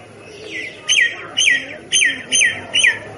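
A myna gives a run of five sharp, harsh chirps, each with a quick falling slur, spaced about half a second apart over a quiet background.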